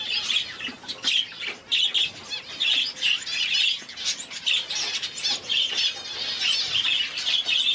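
Parrot finches give a steady stream of thin, high chirps and short squeaky notes, several birds overlapping with barely a pause, with faint flutters between.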